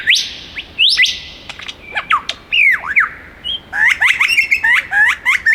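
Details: ["Wild male superb lyrebird, one of the world's most accomplished mimics, singing while flitting between trees in the Dandenong Ranges, Melbourne's east. Loud varied whistles, rising and falling sweeps, and quick chirps with abrupt changes of note, ending in rapid repeated phrases."]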